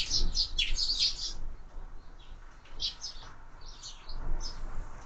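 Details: Sparrows feeding at window feeders: a rapid burst of loud chirps at the start, then scattered softer chirps with gaps, over a low background rumble.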